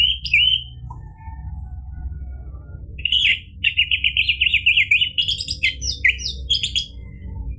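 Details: Orange-headed thrush singing in a lively 'gacor' manner, used to spur other birds to sing: a brief whistled opening, a quiet gap, then a long rapid run of varied high, twisting whistles and trills, about four notes per second.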